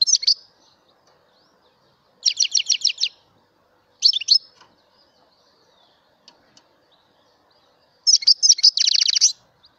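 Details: A mutation European goldfinch sings in repeated high bursts, with rapid rattling trills of evenly spaced notes, short liquid twitters between them, and a long buzzy trilled phrase to close.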